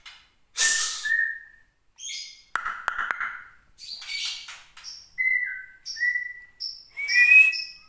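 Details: Aceh-kept white-rumped shama of Gunung Leuser origin singing angrily after nearly a year without song. A harsh burst, buzzy notes and clicks give way to level whistles, high pure notes and a rising final whistle.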